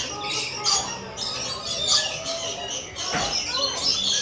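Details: A group of rainbow lorikeets coming to visit keeps up a steady wash of shrill, grating screeches, with one louder rasping burst near the end.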